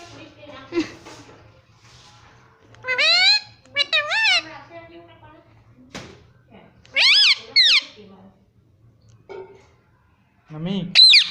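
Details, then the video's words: Indian ringneck parrot kept as a pet, repeating "Mummy" in paired wavering voice-like syllables, loud bursts scattered between quiet stretches, with low background hum. "मम्मी पापा बोलने वाला तोता"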